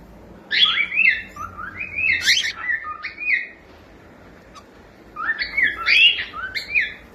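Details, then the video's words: Pet cockatiel chick giving two bursts of warbling whistles, each a quick run of rising and falling tonal notes, separated by a quiet gap of about a second and a half. "SOM DE CALOPSITA CANTANDO"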